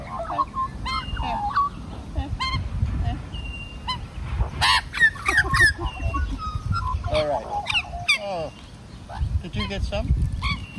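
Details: A large group of magpies, at least three families living together, carol while being hand-fed: rich, fluting warbles and sliding notes overlapping in a loose chorus over a steady low rumble, with a few harsh bursts.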